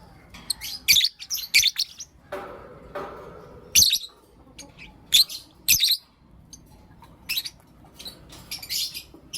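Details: Lovebirds, Blue Opaline and Lutino Opaline, chirp in the morning with high, grating calls in rapid clusters, one softer rustling noise in the middle, then more scattered sharp chirps.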